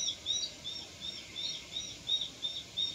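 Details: A Japanese sparrowhawk (Accipiter gularis) fledgling, just left the nest, gives thin, high, squeaky notes, possibly a contact call, repeated about three times a second over a steady background hiss.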